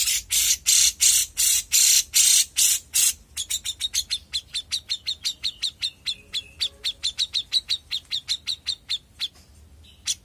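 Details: Young grey-cheeked bulbul: harsh, loud raspy bursts give way to a long rapid train of crisp, evenly spaced chirps, with a faint low whistle partway through.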